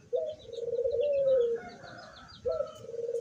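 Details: Zebra dove recorded 24 September 2023 while singing with its beak open: a long, low, rolling trilled coo that wavers then slowly falls, followed by a second coo, over a background of soft distant chirping birds and light hum.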